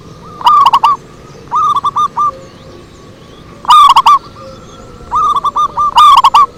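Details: Zebra dove lure song, with four loud phrases of rapid, purring coos. Each opens with a ringing burst and trails into softer notes, separated by short pauses.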